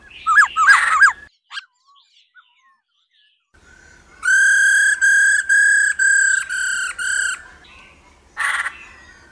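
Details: Female laughingthrush singing to provoke male song. Opening harsh, wavering notes give way to a quiet gap, then six loud, level, overtone-rich whistles at even pace, and a final rasping burst.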